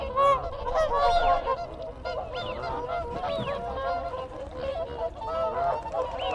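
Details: Close group of whooper swans giving contact calls, loud bugling honks with rising and falling tones overlapping throughout, wigeon and Canada geese calling in the background.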